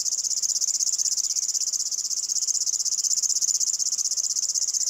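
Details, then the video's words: River warbler (Locustella fluviatilis), which nests at swampy forest edges, meadows and marshes and sings in the evening and early morning, gives a continuous high, dry, rhythmic buzzing song like a cricket or grasshopper, with fast even pulses. "What bird chirps like a cricket and a grasshopper? (Locustella fluviatilis)"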